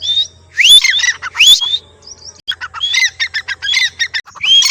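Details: Black francolin call: loud, harsh squawking notes, first a few drawn-out rising cries, then a rapid series of short clipped notes, with a faint low hum underneath.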